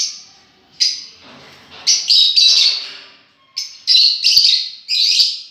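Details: A run of strident, high chattering calls from lovebirds described as enjoying themselves, coming in several loud clustered bursts with brief pauses, some notes slightly grating.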